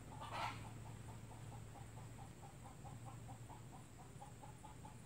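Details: Red junglefowl from Sabah giving a quick run of soft, mid-pitched clucks, several per second, over a steady low hum and a brief rustle at the start.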